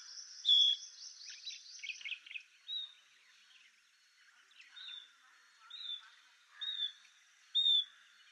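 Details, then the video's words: Painted bush quail (Perdicula erythrorhyncha) calling: short, high whistled notes spaced a second or two apart, with a burst of busier chirping at the start and a faint background hiss. "Painted bush quail (Perdicula erythrorhyncha) sound call and song"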